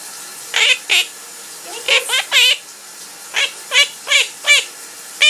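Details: Pet parrot sings indoors while its owner showers, producing loud wavering harmonic notes, some with a trilled warble, in pairs and a steady sequence, against soft background water hiss.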